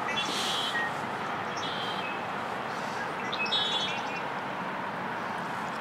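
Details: Red-winged blackbird (Agelaius phoeniceus) singing in the rain in Stanley Park, Vancouver, BC: short buzzy, trilled song phrases, about three across six seconds, half-drowned by steady hissing rain.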